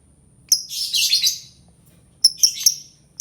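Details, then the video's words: Albino lovebird uttering a harsh, scratchy burst of shrill notes lasting nearly a second, followed after a pause by a few sharp, piercing chirps. "Suara Burung Lovebird Albino"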